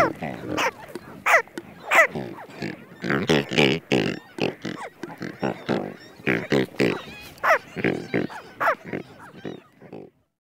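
American White Pelicans give low, hoarse, pig-like grunts in irregular bursts, several close together, with a narrator's voice briefly heard.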